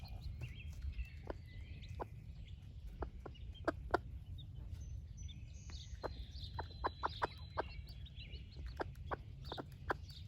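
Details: Broody splash laced red Wyandotte hen sharing food with her baby chicks: sporadic sharp clucks that cluster into quick runs later, with chicks peeping in thin, high, level whistles over a low hum.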